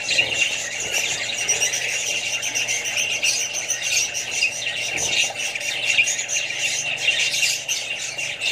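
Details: Group of Australian budgies with other birds and young: continuous chattering chorus of thin chirps, trills and squeals, dense and overlapping throughout.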